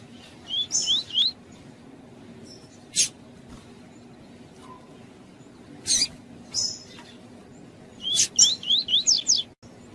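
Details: Double-collared seedeater (coleiro) singing the tuí-tuí song style, used to warm up a cold male and for song training. Short bursts of quick rising slurred whistles in rapid series, with sharp clicks between phrases and a low background hum.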